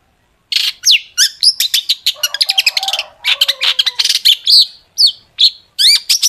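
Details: Long-tailed shrike in energetic 'gacor' song full of sharp 'tembakan' fills, played as a lure to make other shrikes sing; rapid high chattering notes mixed with upward-sweeping whistles and harsh bursts, nearly continuous with short pauses.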